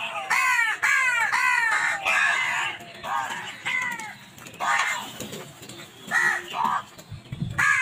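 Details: Crows fighting over food in a dense, noisy burst of rapid harsh caws, overlapping and irregular, then a few more spaced calls.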